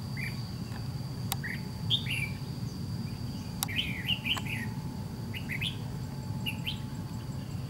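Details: Red-whiskered bulbul of the white-cheeked type singing while trap fighting a decoy bird; scattered lively warbled phrases of upslurred and downslurred chirps, a few sharp clicks, steady low rumble throughout.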